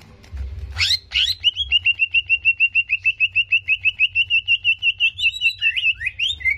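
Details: Provoking song of a greater green leafbird meant to raise another bird's aggression: two sharp rising sweeps open a long, steady run of rapid whistled notes, about three per second, ending in varied twisting phrases.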